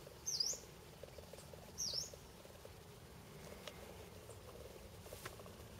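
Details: Yellow-browed warbler at Red Rocks, 29 September 2013, calling persistently from a sycamore: two thin, very high, quick dipping-then-rising 'tsweest' calls about a second and a half apart, over a low steady hiss.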